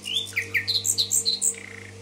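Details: Common nightingale song recorded in Tashkent: a quick string of varied, pure whistled notes jumping between low and high pitches, ending in a held mid-pitched whistle over a faint steady hum.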